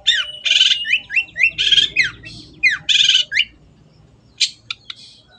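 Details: Long-tailed shrike (cendet) in full-voiced singing, used to train kept birds: fast buzzy, squawking chatter mixed with quick slurred notes in bursts, then a few sharp isolated clicks.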